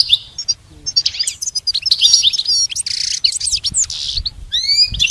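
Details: Goldfinch singing for a pet's song lessons: a rapid, tinkling stream of high twitters, slurred whistles and buzzy rasps, ending with a few clear upward-sweeping notes.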